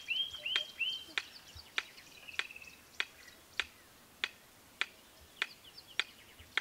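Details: Loud simple song of a Red-crested korhaan in Kruger Park, South Africa: a few high whistled notes open the clip, then crisp single clicks slowing to one every 0.6 seconds, with faint background hiss.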